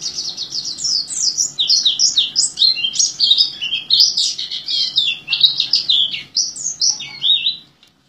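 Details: Oriental white-eye (pleci) singing in the vigorous 'gacor teler' style, said to sustain its song like an orange-headed thrush: a dense, nonstop stream of high, quick chirps and twittering trills with hardly a pause, ending in a brief silence.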